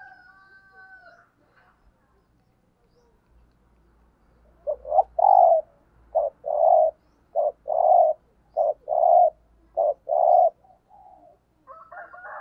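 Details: Spotted dove used as a decoy, repeating its 'thúc gù' lure coo: a steady run of about six short-long paired coos, deep and mellow, with a faint low rumble and higher whistled tones at the start and end.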